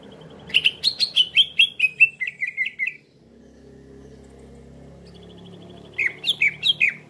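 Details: Lure sound for trapping cucak ijo: a quick series of about ten loud, slurred notes sliding downward in pitch, a long near-silent gap with faint low hum, then another short burst of similar downslurred notes.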